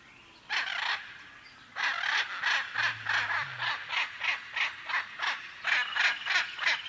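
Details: Macaw giving a long, rhythmic series of harsh squawks, about three per second, after a short opening pair. The calls are even and grating throughout.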